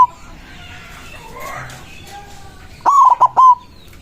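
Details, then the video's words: After quiet, mixed background chirping, a white zebra dove calling rivals delivers one strong phrase of fast stuttered notes ending in a lengthened coo. "Perkutut putih gacor suara besar ampuh memanggil lawan bunyi emosi manggung"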